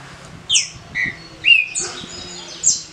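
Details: Caged green-winged saltator from Paraná singing the short, smooth "canto curto liso" style for competition: clear, slurred whistled notes, several falling then rising, spaced about half a second apart.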